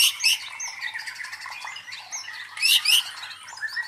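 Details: White-rumped shama song used as a provoking sound to train the fighting spirit of contest birds: varied whistles and sharp chirps around high pitches, louder bursts at the start and near the end.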